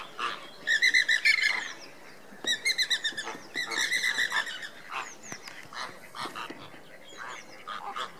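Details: Andean flamingos in display on 29 April 2014: bursts of rapid, nasal, honking calls in quick pulsed series, with scattered single honks between bursts amid a noisy flock background.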